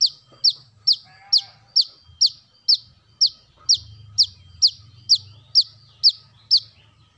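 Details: Brown-throated sunbird lure sound: a steady series of about fifteen piercing, downward-sweeping chips, roughly two per second, over a faint low hum.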